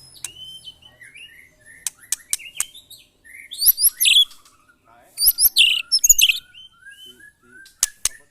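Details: White-rumped shama kept in a cage, tested against neighbours' birds; scattered sharp clicks and soft whistles, then two dense bursts of high harsh chattering, ending with sparse notes.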